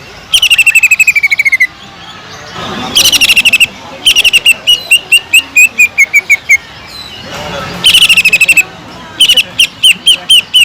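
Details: Actively singing greater green leafbird that mimics a kingfisher; several bursts of fast, high, metallic chattering notes alternate with slower, evenly spaced descending chips and brief quiet gaps.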